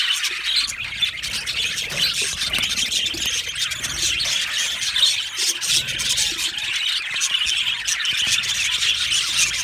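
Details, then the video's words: Continuous chatter from a happy budgerigar colony in an aviary: many overlapping high squeaks, warbles and thin squeals in a steady, busy stream. "Amazing Budgies sounds | Budgies chirping sounds | Happy Budgies sounds"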